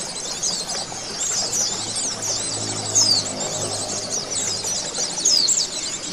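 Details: Recording played as therapy to bring oriental white-eyes into full song and beak-opening: busy, high-pitched chattering of overlapping chirps and quick slurred whistles, with a faint low hum underneath.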